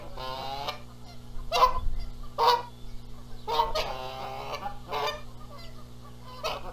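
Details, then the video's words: Spring nest dispute between Canada geese in Charlo, Montana, April 2022, over incubating the eggs, the male joining noisily; harsh harmonic honks sound in separate bursts roughly every second, some louder and more clipped, against a steady background hum. ""MY eggs!" "NO! MY eggs!" Canada Goose"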